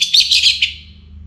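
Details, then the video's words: Orange-headed thrush before daybreak: a rapid burst of high, bright twittering notes, three or four quick accents, then a fading shimmer. "ANIS MERAH Gacor Bunyi Menjelang Pagi"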